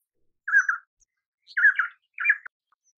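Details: Painted spurfowl song in three rough, buzzy bursts, the later notes slightly higher and more ragged, with short gaps between them and no other sounds.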